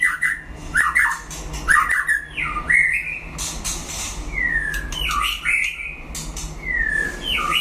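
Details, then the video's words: White-rumped shama singing in a solo duel with a rival: loud whistled phrases with sliding, swooping notes and sharp clicks, delivered in bursts over a steady low hum. "đấu solo (shama bird)"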